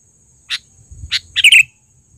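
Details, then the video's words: Trained, loud-calling sooty-headed bulbul as a lure: two sharp separate chirps, then a quick rich bubbling flourish, with a faint steady high whine in the background. "suara pikat burung KUTILANG GACOR...Terlatih dan panggilan keras!!"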